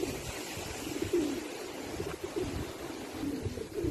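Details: Male pigeon calling, giving soft low cooing notes in short phrases with gaps between them, over a steady low rumbling background.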